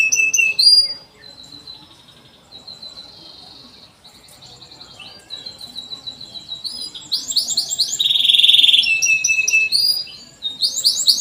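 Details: Canary song meant to coax young birds into singing: scattered chirps and short trills, a quieter stretch, then a loud bright trill with rising sweeps near the end.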